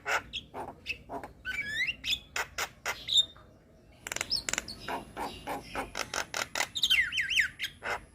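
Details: Lively young Javan myna song with many varied phrases: clicks and chatters, rising whistled sweeps, a brief pause, then dense clicking and looping whistles.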